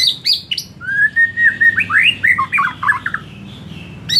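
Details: Afternoon lure song of a white-rumped shama, meant to make kept birds sing louder: sharp high chips open into a long rising whistle and fast, varied slurred phrases, ending in a quiet gap and a final chip.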